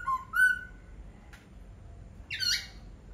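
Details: Brief laughingthrush phrase: two clear whistles rising in pitch, a faint click, then a harsh, rasping note.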